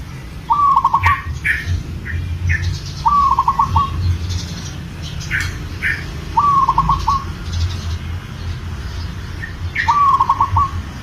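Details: Male zebra dove of local stock, in breeding condition and calling a female, gives four staccato rattling coos at roughly three-second intervals. Sharp chirps from other birds and a steady low hum run underneath.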